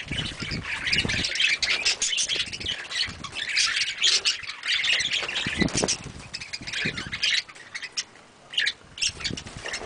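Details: Pet budgerigars chatter constantly, a dense stream of scratchy squawks and high warbled chirps.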